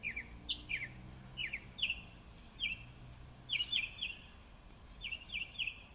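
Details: Spring song of a northern mockingbird, March 26, 2020: quick bright phrases, each a burst of clipped notes and slurs, given again and again with brief pauses, steady low hum beneath.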